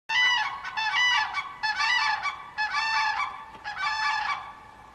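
A crane gives loud, harsh trumpeting calls in rolling bursts of about a second, rich in overtones, repeated with short pauses.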